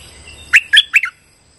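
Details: Streak-eared bulbul calling as a trapping lure: three loud, rich, slightly burry chirps in under a second, the last one doubled and dropping, then quiet with a faint steady electronic whine.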